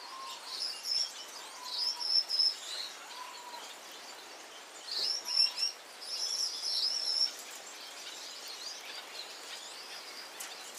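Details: Gouldian finch song of faint, very high wheezy buzzes and squeaks in clustered phrases, separated by soft low downslurred whistles, all against constant hissing background noise.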